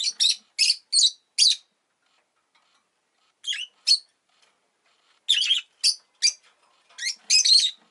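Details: Pet rosy-faced lovebird following egg-laying, calling in rapid runs of loud, piercing, raspy chirps, four in quick succession, a brief pause, then more clustered bursts.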